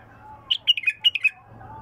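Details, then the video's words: Untrained bulbul with a pure voice sings a short 'mdawar' phrase: a quick burst of about six bright, warbled notes lasting under a second, over a low steady hum and faint background speech. "اجمل مداور لغات بلبل خام حنجره نقيه"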